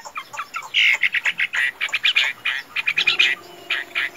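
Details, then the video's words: Caged Chinese hwamei, a tame bird said to sing and fight well, gives a rapid series of short, harsh, buzzy notes repeated several times a second, with a faint steady hum underneath in the second half. "Họa Mi Thuần, Hót Tốt - Đấu Tốt"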